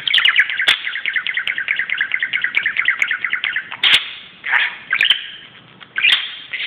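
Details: Budgerigar fooling about on a closet indoors: a fast rattling run of repeated chattering notes for about three seconds, then separate bursts of squeaky warbling, with a couple of sharp taps.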